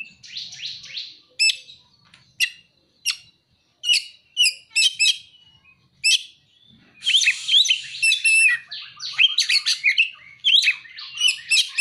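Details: Oriental magpie-robin (kacer) singing with imitated prinia (ciblek) and sunbird (kolibri) material: high, thin chirps and rapid trills, a scratchy burst at the start, spaced sharp notes, then dense twittering phrases from about seven seconds onward.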